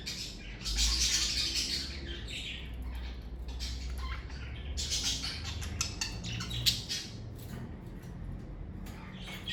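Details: Kept parakeets chatter in bursts of high squeaky chirps, over a strong low rumbling hum that runs through the whole recording.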